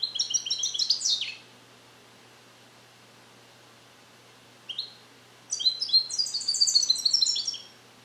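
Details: European goldfinch born in captivity in 2021, song-trained with Neapolitan passages and still incomplete, isolated in a carrier: a brief burst of fast high twittering, a pause, one short note, then a longer liquid, chattering phrase.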